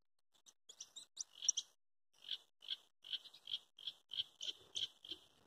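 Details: European goldfinch nestling calling: a series of short, high, scratchy cheeps repeated roughly every third of a second in bursts, fairly faint against a quiet background.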